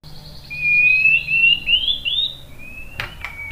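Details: White-rumped shama lure song meant to coax other birds into replying: a few long, clear whistles sliding gently upward, each stepping a little higher, then a sharp click and a short final whistle over low background hum.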